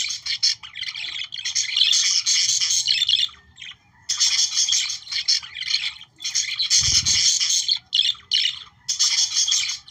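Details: Australian budgerigars chattering, sung to stimulate breeding: dense, continuous squawky warbling with rapid chirps and scratchy notes in bursts, broken by short pauses, with a brief low thump near the seventh second.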